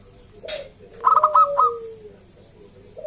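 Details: Zebra dove, local perkutut type, singing a loud lure song used to get other zebra doves calling: one short phrase of four or five rapid bubbling coos, with a faint lower drawn-out whistle beneath and a brief noise before.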